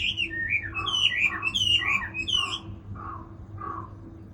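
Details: Chinese hwamei song: rich, quick whistled notes bending up and down in the first two and a half seconds, then two lower, softer whistled notes spaced apart, with a faint steady hum beneath.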